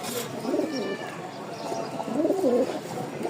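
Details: Giribaz flying pigeons of a Rajshahi line, kept for sale along with young birds. Two soft, low, rolling coos come near the start and again near the end, over a steady background hiss.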